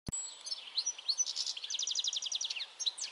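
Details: European goldfinch singing on 22 May 2021: a fast, liquid twitter of high tinkling notes, ending in a rapid run of evenly repeated chips, with a sharp click at the start.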